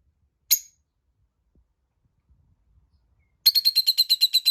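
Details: Tamed lovebirds chirping: a single sharp high chirp, a long silence, then a fast run of about ten harsh, high, evenly spaced chirps.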